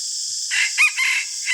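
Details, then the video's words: Morning crow of a decoy red junglefowl kept to lure wild birds: a brief crow in four quick segments, its second note the loudest, set against a constant strong background hiss. "ต่อไก่ยามเช้าไกหมาน ຕໍ່ໄກ່ຍາມເຊົ້າໄກ່ຫມານ"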